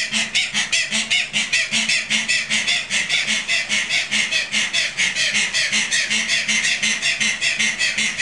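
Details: Loud screaming calls of Tasmanian native hens, flightless birds sheltering under a bridge at a wildlife park in Gunns Plains, Tasmania, an hour after sunset in October 2012; harsh grating notes pulse steadily at roughly 150 per minute without pause.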